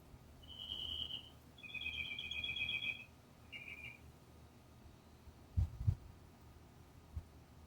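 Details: Birds chirping from a nest in the top of a palm tree outside an office window, heard since last midweek with the mother not seen: high, buzzy trilled chirps in three bursts, two about a second long and a shorter third, then a low hum and a few dull thumps.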